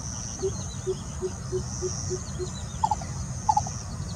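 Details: Lesser Coucal singing in the early morning, 18 May 2022; a run of seven evenly spaced, low hollow hoots about three per second, followed by another bird's short paired notes, over a steady insect buzz and low rumble.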